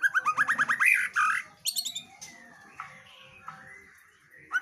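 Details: Female white-rumped shama keeps singing: a rapid series of about eight short, sharply rising notes, then louder harsh notes and drawn-out thin whistles separated by short gaps.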